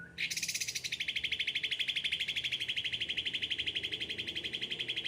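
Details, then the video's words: Kept cucak ranting in full chattering song: a brief rising note, then one long, even, rapid trill of about three notes per second sustained steadily throughout, high and bright. "gacor cucak ranting"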